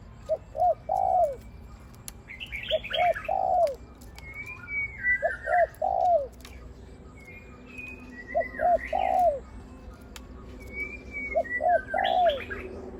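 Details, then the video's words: Decoy spotted dove used for trapping, cooing 'khu ang'. Short phrases of two quick low notes and a longer falling coo recur every few seconds. Busy chirps and whistles from other birds fill the background. "นกต่อVIP 1กุกเสียงใหญ่คูอ่างเกือบตลอด ต่อดิน ต่อกิ่ง ต่อเพนียด"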